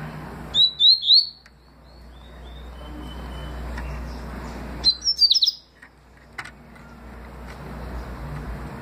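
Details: Papa-capim seedeater singing the 'tui' style in 2020: three bright upswept whistles, a trailing soft note, then after a pause a quick cluster of higher, twittering notes.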